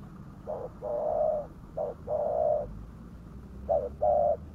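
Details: Spotted dove lure call for attracting wild doves: paired coos, a short note followed by a longer drawn-out one, repeated three times with pauses between, over low background rumble.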